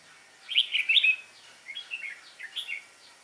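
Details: Red-whiskered bulbul, a young wild-caught bird recorded on 22 October 2018, singing in competition style: short, bright, liquid warbled phrases, one loud burst followed by softer, quicker chirpy notes, with no other clear sounds.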